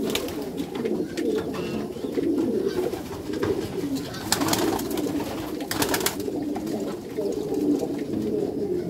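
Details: Racing pigeons of the Meulemans strain in a backyard loft give continuous low coos, interrupted by brief clattering wingbeats.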